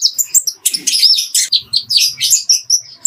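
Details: Short burst of a kolibri ninja's clear master song, recorded for training other birds and filled with fighting-sparrow phrases: shrill, dense twittering chirps with soft low rustles underneath.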